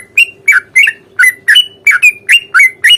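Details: Sooty-headed bulbul in a rapid ropel fighting song used as a lure to get a reply; about nine loud, rising-then-falling chirps in three seconds, evenly spaced, above a low constant hum.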